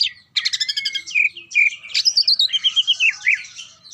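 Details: Greater green leafbird delivering an energetic song: a burst of harsh, rattling chirps, two drawn-out whistles, then a rapid run of high twittering and repeated short warbled notes; background quiet.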